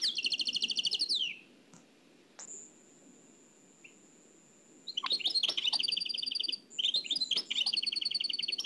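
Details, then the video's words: Nightingale song in the Oued El Alleug style, transferred from an old cassette: bursts of fast repeated high notes, then a long pure high whistle held for over two seconds, followed by more rapid stuttering trills and chirps. "تغريد واد العلايق نقلته عن كاسيت قديم بصحتكم خاوتي معمر روسينيول"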